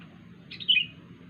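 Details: One short, bright call from a wild sooty-headed bulbul, a strange sound: a quick slurred whistle that starts high and drops, lasting under half a second, over a low steady hum.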